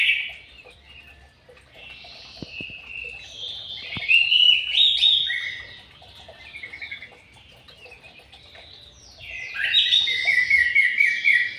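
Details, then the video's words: Caged white-rumped shama in an aviary delivering bursts of rich, varied whistled song broken by quieter pauses, with a few sharp clicks early on and a strong final burst of rapid, rising notes. "BURUNG MURAI BATU DI AVIARY"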